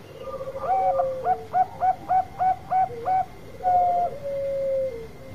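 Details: Song of a Bangkok-type zebra dove with a long voice, meant as a lure to set off other birds: a row of seven crisp, evenly spaced short coos, then an extended tone trailing into a lower held note.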